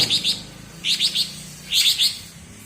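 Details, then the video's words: Greater green leafbird (cucak ijo) of Alas Purwo, Banyuwangi, giving its bebeci song: three quick bursts, each of two or three high, sharp chipping notes, with short gaps between. "Suara Bebeci Khas Cucak Ijo Alas Purwo Banyuwangi"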